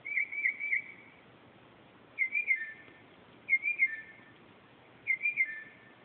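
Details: Mockingbird (northern) singing in darkness at 2:30 am: a warbled, wavering whistle phrase ending in a lower trailing note, repeated four times about every one and a half seconds, with quiet noise behind.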